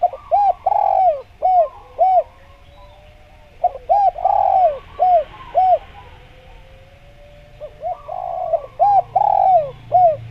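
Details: Repeated spotted dove calls from lure audio for wild doves, calling to companions: three bursts of short hollow coos mixed with longer slurred, falling notes, with brief pauses between bursts.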